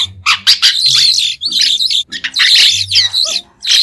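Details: Brief White-shouldered starling song of rapid raspy chatter and squeaky chirps in two dense bursts, closing with a low slurred note.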